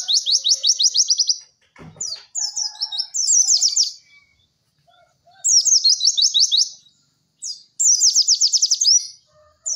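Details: High, rattling white-eye trills in the 'cek cek werr' style, a masteran recording: quick series of sharp chirps about ten per burst, alternating with twittering phrases and short silences, with one brief click-like knock early on.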